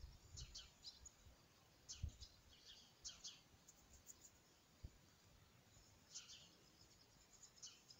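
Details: House sparrow on its first flight gives short, bright chirps in loose bursts of two or three every second or so, over a low rumble of outdoor background noise.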